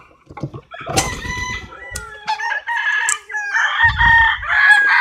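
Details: Chickens clucking and roosters crowing, with short calls early on, then longer overlapping crows and low thumping noises in the background.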